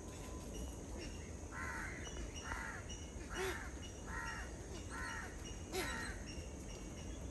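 A grey-headed swamphen gives a series of about six harsh, nasal, cackling notes, roughly one per second, over a steady low background rumble.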